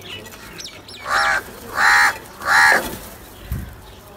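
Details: Crows thought to be squabbling over food give three loud, hoarse caws about two thirds of a second apart, each flat and nasal, followed by a soft thump.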